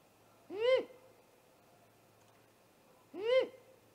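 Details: Great horned owl attack on a great gray owl's nest, caught by a nest camera at 00:03 on 30 March 2018: two loud, harsh, arched screeches rising then falling, about two and a half seconds apart.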